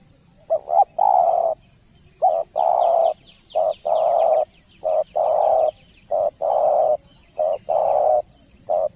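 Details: Spotted dove in 'masteran' tutoring audio: repeated pairs of a short coo and a longer sustained coo, about six phrases in nine seconds, with soft high twittering of small birds behind.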